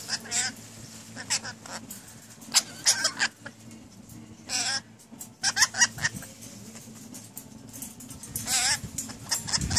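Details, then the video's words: Newly acquired pet rainbow lorikeets talking: scattered clusters of scratchy, voice-like syllables and squawks separated by quiet gaps, with one longer wavering phrase near the end, above a steady low hum. "My Rainbow Lorikeets talking like crazy"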